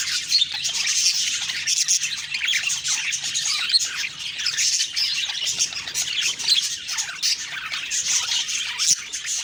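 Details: Lively budgie chatter in the morning: nonstop high chirps, squeaks and warbled phrases from many birds, swelling and dipping in volume.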